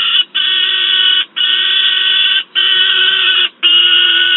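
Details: Peregrine falcon juvenile, noisy, in Wałbrzych, Poland, August 2022, with an adult present: four sustained rasping screams about a second long, given back to back with only short pauses.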